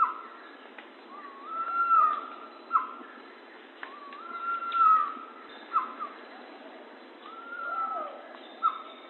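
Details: Pavonine quetzal singing a series of long, slightly wavering whistled notes, each followed by a short sharp note, repeated about every three seconds against a quiet hissing background.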